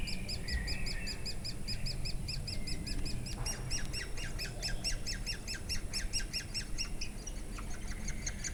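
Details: Woodpeckers feeding their chicks in Durmitor National Park, Montenegro, on 6 June 2017: rapid, high, squeaky notes repeated several times a second in a steady chattering chorus, with a brief louder burst midway, over a low rumbling background.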